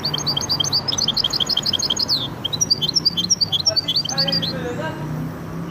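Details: A goldfinch and canary cross delivers rapid, tinkling chirps in a dense run, pauses briefly, then resumes with looser twittered notes and a few lower slurred sounds, over a low background hum.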